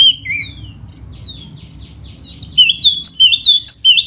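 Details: Fanning spring song from a laughingthrush: soft thin downslurred whistles at first, then a loud rapid series of looping whistled notes repeated several times.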